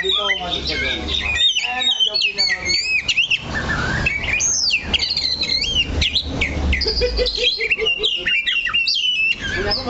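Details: Oriental magpie-robin, caged and perched steadily on one spot, singing a dense run of varied whistled notes, sharp rising and falling sweeps and quick chirps without pause; low voices and background rumble underneath.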